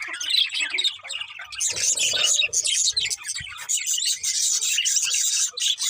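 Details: Birds chirping at morning, a loud, dense wall of high twittering and squeaks from many birds, growing fuller after the first second and a half.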